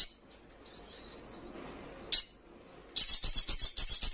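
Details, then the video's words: Actively singing young spiderhunter, its song said to rile rivals: a faint high twitter, one sharp high note, then a fast, rattling, high-pitched trill of rapid repeated notes. "Sogon trotolan paling gacor dan bikin emosi lawan!"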